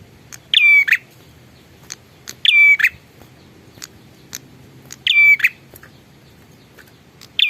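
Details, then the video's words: A lively prinia repeats a loud phrase four times at uneven intervals: a harsh buzzy onset, a high level whistle and a rasping close. Sharp ticks and clicks are scattered between phrases. "suara burung prenjak super gacor"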